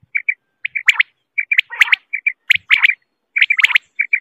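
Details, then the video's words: Quail calling: short clipped notes in pairs and triplets, interleaved with rougher, buzzier bursts, repeated in irregular groups for about four seconds. No other sounds. "صوت سمان((الفر)) Quail sound"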